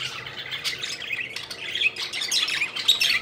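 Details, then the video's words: Budgerigars having fun while flying, their chatter building from soft scratchy chirps into louder, quick warbling tweets toward the end. "Budgies Having Fun: Playful Birds Flying and Chirping Joyfully"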